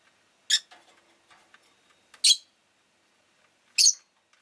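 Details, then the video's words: Three piercing, raspy chirps from a pet rosy-faced lovebird, each about one and a half seconds apart, with light tapping and clicking sounds in between. "Lovebird Chirping Sounds"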